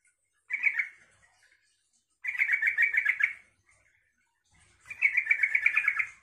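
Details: Three bubbling phrases from a yellow-vented bulbul, each a fast run of repeated notes, the later two longer, sung to make other bulbuls reply; quiet background between phrases.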